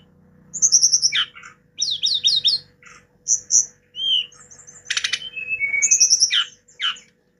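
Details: Hill blue flycatcher (tledekan gunung) song, lively varied phrases: high whistled notes, rapid descending slurred series, a buzzy burst and a long flat whistle, with pauses between phrases; faint steady hum underneath.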